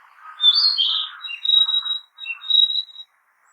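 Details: Narcissus flycatcher singing in a forest: a burst of clear whistled notes over a lower warbling murmur, then a long steady high whistle broken by short rising chirps, phrases spaced about a second apart in quiet surroundings.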